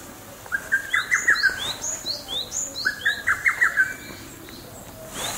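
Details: A lesser cuckoo, the first heard this year, on 3 June 2012, gives two loud, rapid, chattering whistled phrases about two seconds apart, while other small birds chirp thinly and higher in the background.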